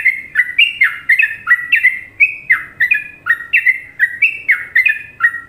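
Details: Indonesian sooty-headed bulbul giving a Trucukan song: a steady, unbroken chain of bright, gurgling two-part notes, each slurring downward, repeated rapidly for the whole stretch.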